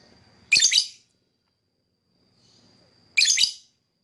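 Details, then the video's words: Lovebird calls: two short, harsh, shrill chattering bursts about two and a half seconds apart, with quiet and a faint steady whine between them. "Lovebird Singing and Chirping"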